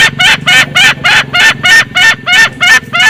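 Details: Male and female green junglefowl cackling loudly on a lure recording: an even, rapid series of short, harsh notes, roughly three per second, with a steady low hum behind.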